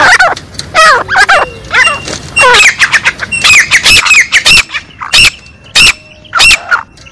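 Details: A female black francolin giving a mixed call: a jumble of scratchy, wavering notes, then loud harsh squawks spaced about every half to one second, in a rural outdoor setting.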